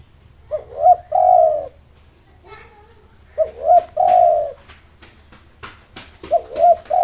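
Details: Local spotted dove in nonstop song meant to provoke rival birds. Three phrases of short bent notes ending in a sustained, slightly falling coo, with faint clicks and knocks scattered between the later phrases.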